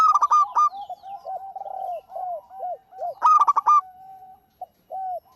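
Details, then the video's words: Local zebra dove singing actively, recorded for prompting other birds to sing: loud clipped bursts of five rapid ringing notes at the start and near three seconds, with soft arched coos between them. "Suara Burung PERKUTUT LOKAL GACOR"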